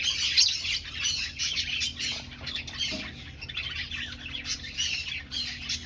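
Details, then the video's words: Aviary finch colony while breeding, birds locating a nest; a steady stream of quick high chirps from several birds, with a brief louder note at the start and a low hum. "Finch Sounds"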